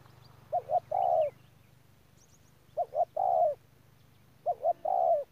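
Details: Spotted dove used as a ground lure bird in Đức Cơ, November 2018, repeating a three-part coo: two short notes then a longer descending hoot, roughly every two seconds, with faint high chirps of other birds and a low hum.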